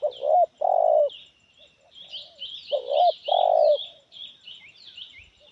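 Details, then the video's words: Spotted dove with a loud medium voice repeats its cooing phrase twice, a short double hoo then a long sustained coo, while small birds chirp high twittering notes in the background. "Suara Menengah Lantang Kuk 1"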